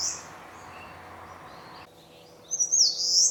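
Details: Eastern crowned warbler (Phylloscopus coronatus) song: a brief high note, then after a quiet pause a thin, buzzy, wavering high phrase over a faint steady background hum.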